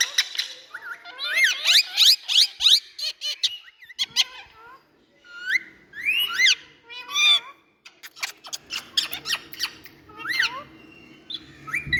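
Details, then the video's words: Kept rose-ringed parakeets making a lively racket: shrill upslurred screeches, rapid chattering notes and squeaks in irregular bursts, with short pauses and a low hum in the background. "All🎊Birds Noise Amazing🌸Relaxing Ringnecks"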